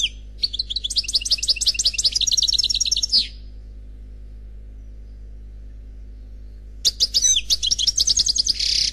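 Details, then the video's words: European goldfinch singing in the Khalwi style, described as unpaired: a quick, high, tinkling phrase of repeated chirps and trills lasting about three seconds, a pause, then another bright, twittering burst. "Chant Chardonneret Khalwi Célebataire"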